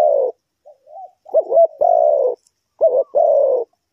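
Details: Low cooing from a spotted dove kept for trapping wild birds. A long falling coo comes first, then soft muted notes, then two phrases in which a wavering double note runs straight into a long, deep coo.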